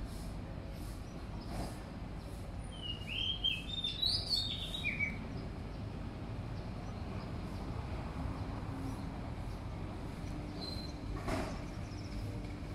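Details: Oriental magpie-robin singing near a balcony: a short burst of clear, varied whistled notes, then a faint note later, over a steady low rumble of traffic.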